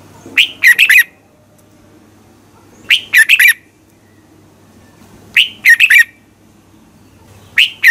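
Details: Red-whiskered bulbul giving morning competition song as a training decoy: four crisp phrases of a few rapid chirped notes, repeated steadily about every two and a half seconds.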